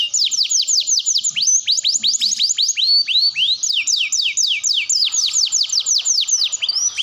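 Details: Canary singing a long, continuous song meant to coax young canaries into learning to sing: rapid series of clear descending whistled sweeps, several per second, in unbroken rolling phrases.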